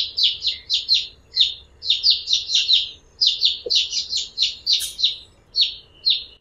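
A House Sparrow runs bright chirps together in a fast, uneven stream, about two per second, with a faint hum underneath.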